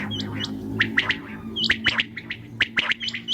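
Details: Common quail calling at night: crisp three-note phrases repeated less than a second apart, with thin higher chirps between them and a steady low hum underneath.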